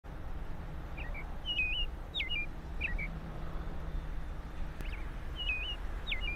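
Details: American robin (Turdus migratorius) singing at its freshly built nest under an apple tree in Michigan, before eggs are laid; two bursts of short, clear, up-and-down slurred whistled phrases over a steady low rumble.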